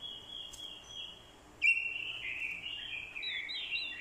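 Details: Orange-headed thrush decoy bird singing its fighting song, with a female's call included to stir the male. After a thin whistled opening, a loud run of sweet warbled phrases begins midway and carries on, with quick slurred notes rising and falling.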